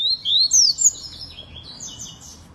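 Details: Canary delivering rapid upward-sweeping whistles that break into a higher, jumbled twitter before trailing off into soft, fading warbles.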